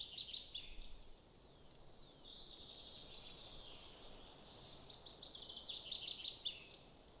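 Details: Golden eagle (Aquila chrysaetos) at a nest in Estonia, 20 June 2022, gives thin, high notes: short chips in bursts, then a drawn-out whistled note, over a steady wash of background noise.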